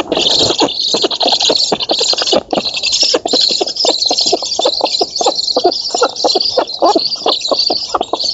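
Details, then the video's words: Black stork nestlings begging during a feeding at a nest in an oak in Poland, 11 August 2017, filmed by nest camera; dense, continuous high hissing wheezes overlaid with rapid rasping pulses, several chicks calling together without pause. "Bociany czarne z Polski (dąb) 2017 08 11 Karmienie"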